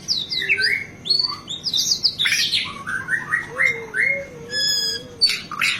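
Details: White-rumped shama delivering a dense 'isian' song, meant to provoke and tutor captive birds: rapid rich whistles and swooping notes, a harsh buzzy burst, and a faint low wavering tone beneath.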